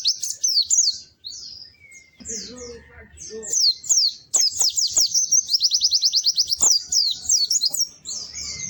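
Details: Melodious, lively white-eye song of rapid high chirps and slurred tweets in bursts, including a fast, even trill midway. There are a few sharp clicks and brief lower noises among the phrases.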